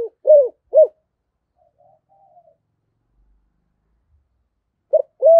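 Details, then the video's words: Spotted dove in the 'giọng thổ' style, calling to lure wild doves; a few deep coos at the start, a long near-silent stretch with a faint murmur, then two more coos at the end. "cu gáy giọng thổ gáy gọi hay và kích bổi nó rất hiệu quả, cu gáy giọng thổ sấm"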